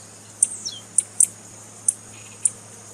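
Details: Calls of a female tiziu, or blue-black grassquit, played to excite a male: a handful of sharp, high clicks, one doubled, separated by about half a second, with faint downward-sliding notes between them and a steady low hum.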